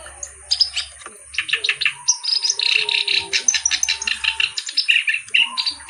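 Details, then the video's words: Lively kerak basi reed warbler singing a fast, continuous chatter of harsh, creaky notes and brief rattles, with a thin high hum and soft low sounds in the background. "BURUNG KERAK BASI GACOR CENGKOK LAGUNYA OK"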